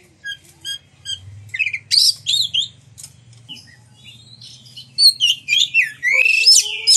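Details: Oriental magpie-robin song meant to provoke other magpie-robins to sing and show their fill phrases: sparse high pips, then loud bursts of squeaky, slurred whistles and chatter, with a low hum beneath and a descending whistle at the end.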